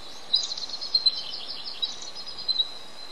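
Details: Bald eagle, a male on incubation duty at the nest in a reintroduction project, calling out for his mate to relieve him: a continuous high, squeaky chittering trill against a constant hiss.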